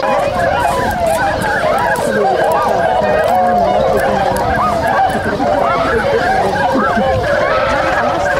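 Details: Waking swans starting to move at a swan site in Inzai, Chiba, Japan, January 16, 2022; many overlapping honking calls, with several upward-sliding notes standing out from the crowded chorus.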